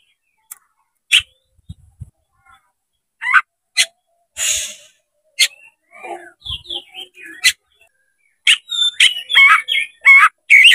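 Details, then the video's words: Oriental magpie-robin, shown with tail spread, singing loudly to challenge a rival. Scattered sharp chips and a breathy rustle come first, then dense, quick whistled phrases and chatters build up over the last few seconds. "MENCARI LAWAN TARUNG KACER CEPAT GACOR DALAM HITUNGAN MENIT DIPANCING KACER BUKA EKOR INI"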